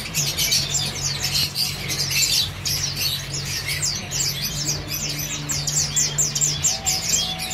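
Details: Two male red avadavats, a father and son, singing together: dense, continuous high twittering and squeaky chirps, with a steady low hum underneath.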